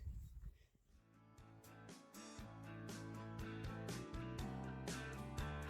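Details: Guitar-led music plays with a steady beat while a voice speaks faintly underneath, and no animal sound stands out.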